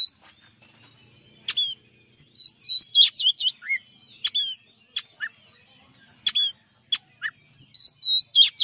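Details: Champion Oriental magpie-robin in a master song recording: loud, clear and varied phrases of sharp high chirps, upward-flicking whistles and quick falling notes, delivered in rapid runs with brief pauses on a quiet background.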